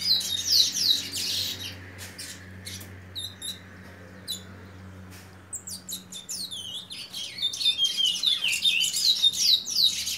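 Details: Young chestnut-bellied seed finch, a seven-month-old juvenile, singing in a small room: bursts of high, sweet whistled and slurred notes, separated by a quieter stretch of scattered clicks and chips, with a steady low hum underneath.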